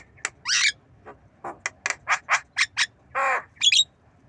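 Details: Javan myna learning to cough: a rapid series of short, dry, cough-like bursts, a longer hoarse rasp and a final squeaky whistled note, loud and close with little background noise.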